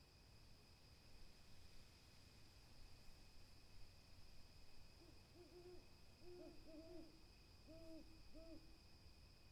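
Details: Owl hooting: after about five seconds of quiet background, a run of short, mid-pitched hoots comes in small groups of two or three, each note briefly rising and falling, over a steady high whine and low rumble.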